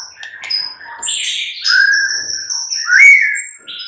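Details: White-rumped shama song used as a mid-morning lure recording to prompt other shamas to answer: varied clear whistles, high thin notes over lower warbled phrases, long steady whistles and a bright rising flourish, no other sounds.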